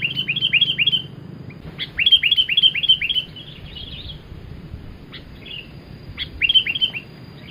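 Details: Sooty-headed bulbul in energetic cemgkram song, used for luring birds: fast rattling series of clipped, down-slurred chirps, about four per second, in bursts separated by short silences.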